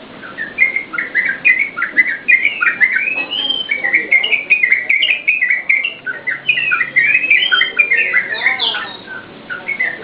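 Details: Yellow-vented bulbul singing energetically for use as a training lure for caged birds: dense run of quick, liquid chirps and slurred whistles, tumbling without pause, a few brighter upward notes near the end.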